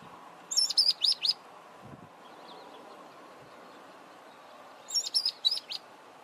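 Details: Mousebird in Zambia giving two bursts of four or five rapid, high, sharp chirps, each burst lasting under a second and separated by about four seconds of quiet, over a faint steady background hiss.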